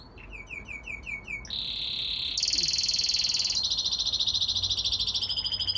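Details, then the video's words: A young male red factor canary sings to impress his brothers and father: high repeated chirps, then a steady whistled note running into fast, buzzy rolling trills. "Singing canary"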